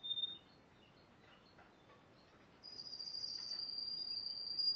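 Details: Spanish timbrado canary, yellow, from 2011: faint scattered soft notes at first, then a loud piercing high trill held steadily to the end.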